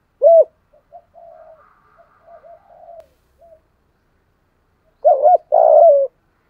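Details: Spotted dove giving its 'giọng thổ' call in the early morning, loud and clear, to lure wild doves. A single hoot is followed by soft low murmuring, then a burst of stacked coos and a long slurred note.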